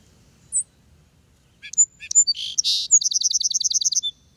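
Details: A Song Sparrow from the northeastern U.S. (one viewer suspects a Lincoln's Sparrow) opens with a few sharp notes, slides into two buzzy phrases, then ends in a quick, high, even trill of about a dozen notes.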